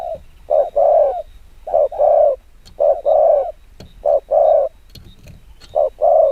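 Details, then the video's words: Spotted dove cooing rapidly in the 'gù kích bổi' manner, giving five pairs of low rounded coos, a brief note then a longer one, with scattered light clicks. "Tiếng chim quân tử chiêu gù kích bổi cực nhanh"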